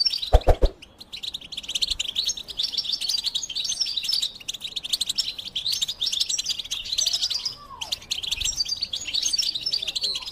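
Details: Continuous European goldfinch song of liquid twittering notes and buzzy trills. A short knock sounds at the very start, and a faint low hum stays in the background.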